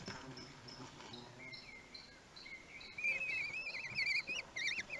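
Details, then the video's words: One-week-old common kestrel chicks begging during a feed at Théding, 31 May 2020; faint soft notes at first, then from midway loud wavering, trilled whistles in quick bursts. "Repas d'anniversaire : 1 semaine - 31/05/2020"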